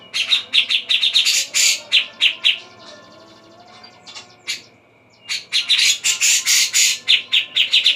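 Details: Javan grey-cheeked bulbul singing in a dawn recording, loud quick bright notes repeated about four per second, a near-silent gap in the middle, then a dense burst of song again.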